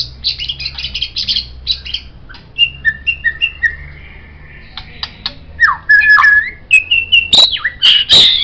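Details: White-rumped shama singing as a master recording for songbird training, starting with fast high chatter, then lower clear whistled notes, a slurred falling whistle and loud sharp clicks at the end.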